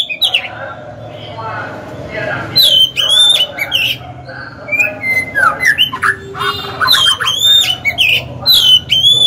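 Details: Oriental magpie-robin decoy singing to draw wild rival males into combat. A low background murmur first, then bright whistled phrases with sharp upslurs and downslurs, some harsher notes mixed in, repeated in lively bursts.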